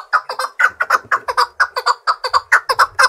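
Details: Chukar partridge, trained to sing and fight against any partridge, gives a loud series of hoarse chuck notes in a brisk, slightly uneven rhythm.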